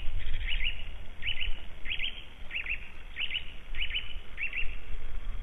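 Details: A white-tailed eagle at its nest in Latvia in March 2012 gives a steady series of seven sharp, high yelping notes, roughly one every 0.6 seconds, over a low wind rumble.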